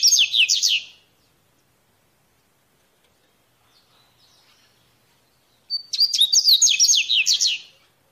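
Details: Wild Double-collared Seedeater (coleirinho) repeating its mateiro song: two bursts of rapid, high, slurred chirps and whistles, roughly two seconds each, separated by about four and a half seconds of quiet.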